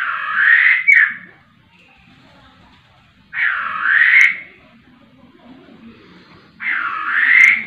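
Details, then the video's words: Laughingthrush in full, vigorous song, giving three loud, coarse, slightly rising notes about three seconds apart, each close to a second long, over quiet low background rumble. "poksay rowo super gacor"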